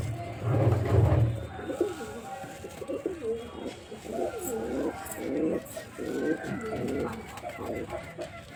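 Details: Male white pigeon cooing in a busy, murmuring series of rolling coos that blend together, over a low rumble and faint voices in the background.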